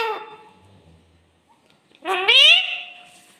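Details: Clear-voiced talking parrot kept as a pet: the fading tail of one utterance, a pause, then a buzzy, harmonic phrase that climbs in pitch and settles into a steady, slowly fading tone.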